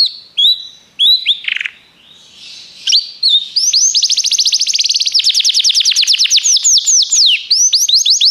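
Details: Belgian canary singing, a training recording: scattered whistles and a brief buzzy note give way after a short lull to a long, loud, steady trill of rapidly repeated rising notes.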